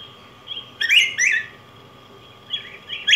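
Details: Yellow grosbeak (Pheucticus chrysopeplus) singing: two short bursts of rich, warbled whistled notes around the middle of the clip, fainter slurred notes before and after, over a faint steady hum.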